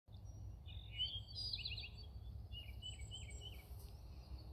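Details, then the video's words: Eastern towhee, a common and very vocal large sparrow, in Indiana on April 3, 2021: high whistled notes followed by a quick buzzy trill of repeated lower notes, with a steady low rumble of background noise. "Eastern Towhee"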